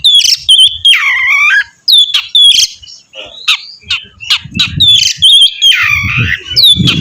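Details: Rich varied song of an Oriental magpie-robin meant to make another bird sing, mixing bright whistles, deep swooping notes and harsh squawky bursts, with low rumbling noise in the second half.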